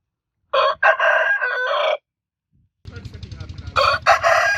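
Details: Rooster crowing: a loud, harsh, broken cock-a-doodle-doo lasting about one and a half seconds, then a short silence, then a second crow rising over a steady low rumble of background noise.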